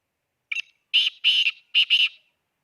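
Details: Black francolin, Khushab: a loud rasping phrase of four parts. A brief opening note is followed by two long buzzy notes and a final closely spaced pair, all heard in clean silence.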